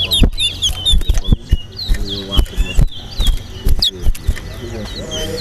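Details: Towa towa, the large-billed seed-finch, sings during a competition race at Linden, Guyana. Brisk, slurred whistled notes repeat amid loud nearby voices, sharp taps and music.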